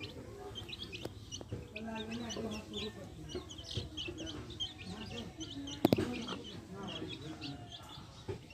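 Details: Backyard hens with chicks: low murmured hen clucks mixed with many short high chick peeps, a sharp knock partway through and low hum behind.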